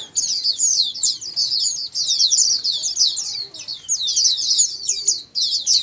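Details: Group of white-eyes in full song, played to get quiet white-eyes to respond and sing diligently; fast, high, sweet twittering runs nearly nonstop, many voices overlapping, with short breaks.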